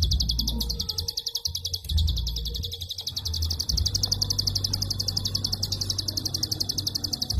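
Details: Prinia klik call in dense, long strings with hardly any pause, used for training other songbirds: high, crisp clicks pour out nonstop at a fast, steady pace over a low hum that fades in and out.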